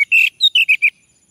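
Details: Orange-headed thrush male singing to draw out another male: a quick, bright phrase of six notes, with a slightly buzzy opening, a higher clear note, then three warbled notes in fast succession.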